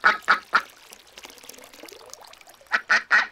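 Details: Three quick, rasping quacks from ducks on a lagoon, a quiet pause with faint murmuring, then three more quacks in the same rhythm.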